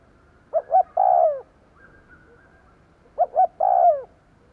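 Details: Lure cooing of a kept spotted dove for drawing in wild doves, with two phrases about two and a half seconds apart, each two short notes and a long falling croon, quiet between them.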